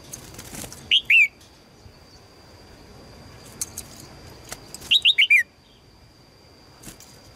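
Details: Female red-whiskered bulbul calling to attract a strong male: two bursts of sharp, high chirps sliding downward, a pair first and then a quicker run of four, over a faint steady high tone and quiet background.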